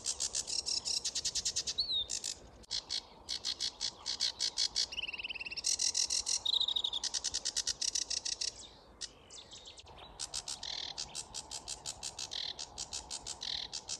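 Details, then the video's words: A sedge warbler sings loudly among reed beds at Grove Ferry, Kent, at dawn in May, a migrant freshly back from Africa; rapid repeated high ticking notes alternate with whistled slurs and buzzy rattles in a restless, ever-changing stream. "Rapper of the reeds - Sedge warblers in full song"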